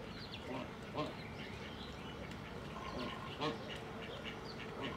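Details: Hybrid geese in an open enclosure, behaving aggressively toward other inhabitants, give a few short, nasal honking calls about once a second amid steady background noise and faint other bird sounds.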